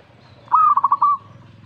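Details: A single zebra dove phrase in reply to a master recording: a fast, rippling string of soft coo notes ending in a held note.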